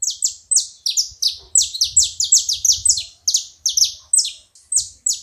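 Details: Several saffron finches together, a rapid, busy run of high, piercing, down-slurred chips overlapping from multiple birds, with some soft low background noise.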